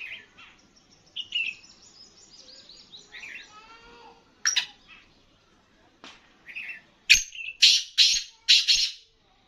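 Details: Black francolin of the Sindhi kala teetar type, a caged bird, gives high chirps and twitters, then a rapid series of four loud rasping notes at the end.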